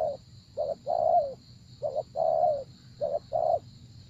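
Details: Cooing spotted dove during decoy trapping, three phrases of a brief low note or two then a longer mellow descending coo, under a steady high-pitched hum and faint background rumble.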